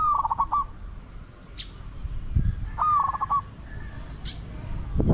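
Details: Two stuttering coos from a spotted dove kept as a decoy to draw in wild doves, spaced about three seconds apart. Brief sharp clicks and low thuds come between them.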